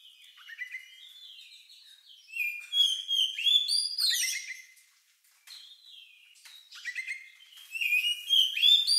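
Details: Unusual song of an Oriental magpie-robin, likened to a lovebird and used to stir other birds to sing; rich varied whistles, slurred rising and falling notes and quick trills in two loud bursts.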